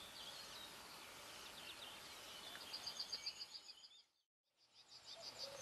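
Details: European bee-eaters in South Moravia, Czech Republic, give rolling, liquid calls, first overlapping in a busy chorus, then as a quick run of short bright notes about three a second.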